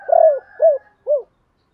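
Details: Spotted dove kept as a decoy, cooing the 'ba hậu' lure call: a long throbbing coo followed by two shorter arched coos, each falling away at the end.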